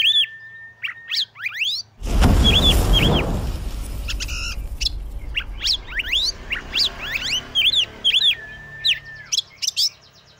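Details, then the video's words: Oriental magpie-robin song used to provoke other magpie-robins: a long flat whistle and rising notes, interrupted by a loud burst of noise, then repeated wavering whistles and upswept chirps ending in another sustained tone. "Kacer Gacor Pancing Emosi dan Dongkrak Birahi Kacer Lain Agar Lekas Gacor"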